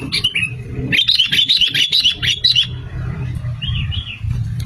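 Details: Sooty-headed bulbul, male and female, played as a trapping lure and to prompt singing: one short phrase, then a rapid run of bubbly, chattering notes, and soft whistled phrases near the end over low rumble.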